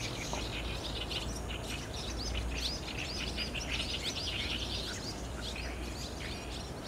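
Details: Barn swallows entering their roost under an overcast sky, 30 June 2019, digital SLR audio: a thick swirl of high twittering and sharp chirps from many birds, strongest in the middle, with a deep steady rumble underneath.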